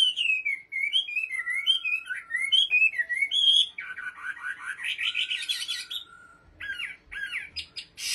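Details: Chinese hwamei kept as an ornamental bird in Bình Định, Vietnam, singing a rich, varied song: rapid rising and falling whistled phrases, then buzzy, scratchy trills and sharp slurred notes, loud and clear with no other sounds.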